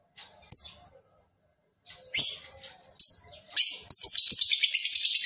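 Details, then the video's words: Lovebird giving a long ngekek. Several short, harsh, buzzy bursts build into a continuous, grating, rapidly pulsed trill that runs on for more than a second and is still going at the end. "Lovebird Gacor!!! Ngekek panjang"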